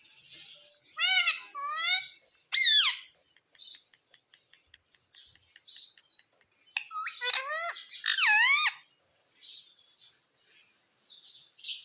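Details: Pet talking parrot, said to repeat "mummy"; sliding, harmonic squawks and chirps come in short bursts with quick descending notes and pauses between them, indoors.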